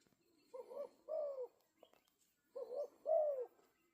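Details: Spotted dove cooing outdoors: two soft, low, hooting phrases, each a short note and then a longer slurred coo falling at the end, separated by about two seconds of near silence with faint background clicks.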